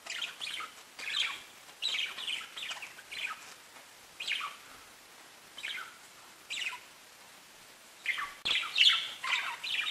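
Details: Pet budgies give clusters of buzzy, high chirps separated by quiet gaps, growing busier and louder toward the end.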